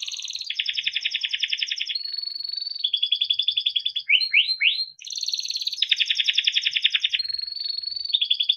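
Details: Timbrado canary song for training and listening: continuous metallic trills and rolling tours, with a quick run of rising sweeps midway before the fast trilling resumes.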